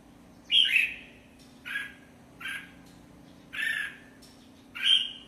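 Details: Red-whiskered bulbul uttering a series of five short, husky, whistled phrases, some sliding downward, spaced about a second apart, with a faint low hum behind.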